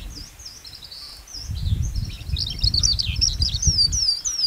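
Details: Kept lark from Vietnam singing a continuous, high, rapid twittering warble with slurred whistled notes, growing louder toward the end over a steady low rumble of background noise.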